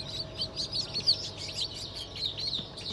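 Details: Newly hatched Black Australorp, Sussex and Fizan chicks, hatched 25 May 2023, cheep in sharp high bursts, several calling together in quick irregular clusters.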